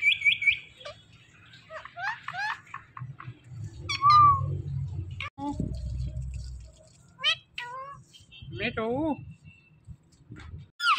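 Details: A rose-ringed (Indian ringneck) parakeet talks in high, nasal, clipped syllables and mew-like slurred notes, with soft music playing underneath.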